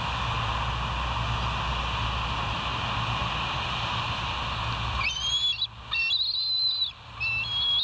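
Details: Bald eagles at West End, captured on a live nature cam on 08/04/2023 at 05:22: after five seconds of low background hum, a short burst of high, thin whistled notes, some sliding, breaks in near the end.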